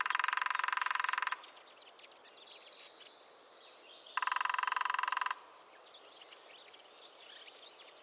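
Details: Lesser spotted woodpecker in the New Forest: two loud, rapid, even rattling bursts about a second long, roughly four seconds apart, over a background of softer chirping and whistling from other birds.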